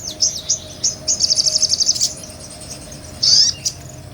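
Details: Ngobra-style sunbird song, from a small nectar-feeding bird kept as a tutor for other cage songbirds: a fast, very high buzzy trill of evenly pulsed notes, then a pause and a brief sharp rising whistle.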